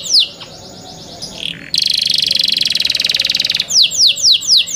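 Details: Young canaries: a brief whistle, then a fast buzzy pulsed trill lasting about two seconds, ending with a few loud, well-spaced descending whistled notes.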